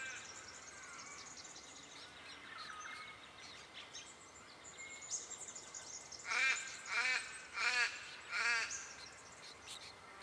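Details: Diamond firetail in Victoria, Australia, recorded November 2014. Soft, scattered twittering is followed near the end by four loud, harsh, nasal calls, each about half a second apart.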